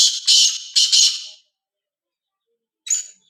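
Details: Loud rasping calls of a black francolin, kala tetar: three strong buzzy bursts in quick succession, a pause of over a second, then a single shorter harsh note.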